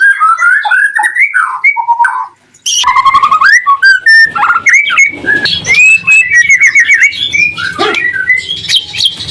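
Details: Loud white-rumped shama song to provoke rival shamas into replying: fluting whistles, a brief silence, then a harsh burst and long varied runs of whistles, chips and trills, with a low hum underneath.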